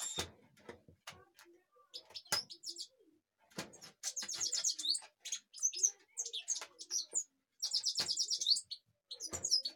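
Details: Twittering song of a European goldfinch in Kashmir: quick bursts of high, jangling notes and buzzy trills in several phrases, broken by frequent sharp clicks and knocking sounds nearby.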